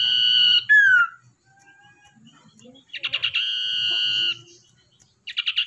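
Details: Common iora, a wild-caught and tamed bird kept as a lure: a long steady whistle ends in a downslurred note, then quick stuttered notes lead into a second drawn-out whistle, with more stutters at the end.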